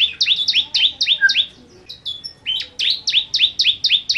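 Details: A 'kristal' bar-winged prinia in energetic 'nembak' song, repeating bright two-part chirps that swoop downward, several per second, in two rapid series broken by a short pause with a few scattered notes; nothing else is clearly audible.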